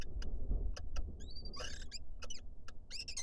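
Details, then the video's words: A Lesser kestrel pair courting inside a nest box in Israel, picked up by a live camera: high, thin, drawn-out call notes with harmonics, one held steady, amid sharp clicks and scratching over a steady low hum. "Lesser kestrel pair court inside the LIVE Lesser Kestrel Israel CAM"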